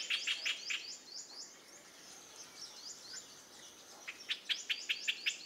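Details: A Streak-eared Bulbul (Pycnonotus conradi) in a garden in western Thailand gives dry, harsh chattering bursts of quick high notes, about six to eight per burst, with a pause between bursts.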